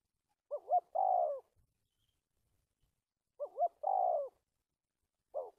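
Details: Spotted dove kept as a bird-trapping decoy, stammering coo: each phrase opens with two quick wavering notes before a drawn-out falling coo, repeated about every three seconds, then a lone short note.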